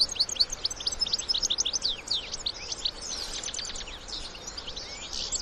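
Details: Adult European goldfinches with young, wild, mixing song and twittering: a lively burst of sharp, fast chirps at the start, then looser tinkling notes from several birds above faint ambient noise.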